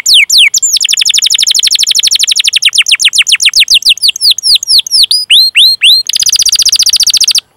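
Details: Canary performing a long 'ngerol' rolling song meant to stimulate young or silent canaries: dense rapid descending notes, then slower curling chirps, ending in a harsh, very fast trill.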